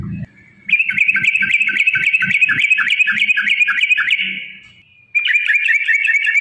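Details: Yellow-vented bulbul lure recording meant to provoke singing and fighting: a long, fast run of bubbly, downslurred chirps about three and a half per second, fading out, then restarting. Faint low thumps sound underneath.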